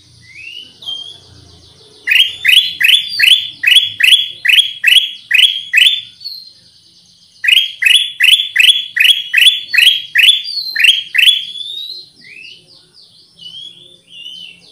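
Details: Lure song of the Black-crested bulbul (kutilang emas): two long runs of about a dozen loud rising chirps each, evenly paced, separated by a pause, with thin high whistles and softer trailing notes after.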